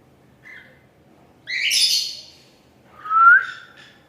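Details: Gray and lutino cockatiels calling: a faint short note, then a loud harsh broadband squawk lasting under a second, followed by a clear rising whistle that ends in a squeak, over a quiet low background hum.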